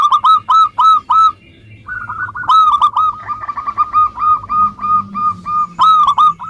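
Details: Local Indonesian zebra dove, used as a lure to prompt lazy doves to sing: loud, hooked cooing notes in quick bursts, then a long run of rapid, even, softer coos, with a second bird's bursts overlapping.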